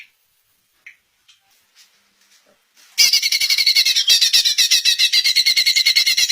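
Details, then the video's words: Greater green leafbird singing, used to make other leafbirds answer: after near silence, a loud dense run of harsh, buzzy, chattering notes erupts, repeated almost four times per second and holding steady to the end. "Cucak Ijo Anda PASTI AKAN NYAUT dengar Suara KICAUAN MERDU TERBAIKNYA INI"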